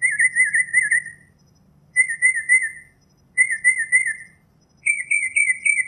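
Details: Northern mockingbird singing in nature: four warbled, wavering phrases, each about a second long, repeated roughly every one and a half seconds, the last pitched slightly higher; faint low background hum.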